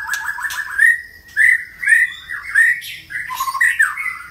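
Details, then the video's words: Singing white-rumped shama mixing short rising whistles with harsh, squawky chatter. Loud clear notes come in separate bursts about every half second, with scratchy fragments in between. "Murai Batu Gacor | kích chòe lửa hót,chòe lửa hót nhiều giọng"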